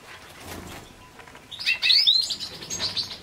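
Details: European goldfinch: after a quiet opening, a loud, clear phrase of rising, whistled, liquid notes runs into a quick twittering trill that fades out.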